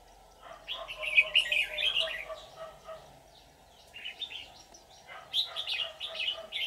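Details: Decoy red-whiskered bulbul of the white-cheeked type, used on 24 July 2019 to lure wild bulbuls into a trap, sings bright warbled phrases in two bursts separated by a short pause, with a steady low hum underneath.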